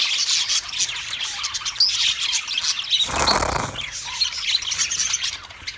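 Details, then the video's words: Shrill squawking of Australian parrots recorded March 15, 2024, overlapping high calls throughout, interrupted around the middle by a brief broad rushing noise. "Sounds of Australian Parrots"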